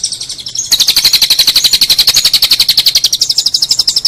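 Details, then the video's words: Long-tailed shrike master recording for tutoring contest songbirds: a short note, then a fast, buzzy high trill of rapidly repeated notes held steadily for over three seconds. "Masteran cendet"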